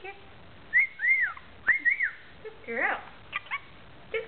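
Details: Rainbow lorikeet kept as a pet chatters with slurred whistled notes that arch up and down, then a buzzy tumbling phrase and a few short clicks.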